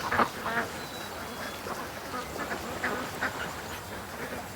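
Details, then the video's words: Domestic ducks during a morning rush from the pen to the creek; softer, more distant quacks come in uneven bursts over background noise. "Ducks At The Creek Morning Rush"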